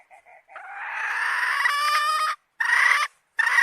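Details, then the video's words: Hen calling: two faint short notes, then a long, loud, harsh drawn-out note lasting nearly two seconds, followed by two shorter rasping bursts after brief pauses. "Suab Poj qaib seev zoo heev"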